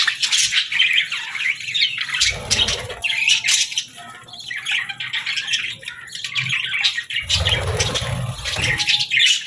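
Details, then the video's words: Several budgerigars chatter in the morning, harsh squawks mixed with quick warbled chirps, dipping quieter midway before rising again, with low thuds in two spots. "Birds Chirping Sounds 🌅🐦 Budgie Morning Melodies for a Happy Start!"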